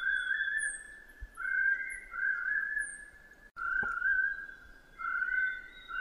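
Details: Chestnut-breasted partridge giving repeated mellow whistled notes, each about a second long with a short rising upper part, in a steady series; thin downslurred high bird notes and a couple of soft knocks behind.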